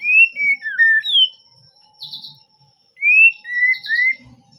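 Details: Melodious white-rumped shama song, said to make birds that hear it answer at once: pure whistled notes falling and rising in short runs, a brief buzzy high note between, then another whistled phrase after a silent gap.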